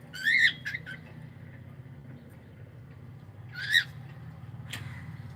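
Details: Pet cockatiel letting out two harsh screeching calls a few seconds apart over a low background hum.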